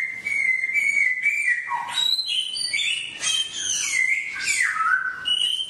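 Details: Songbird singing a forest-style song played for caged birds to copy: a steady level whistle, then a dip, followed by bright high warbled notes and sliding whistles, continuous and loud without background noise.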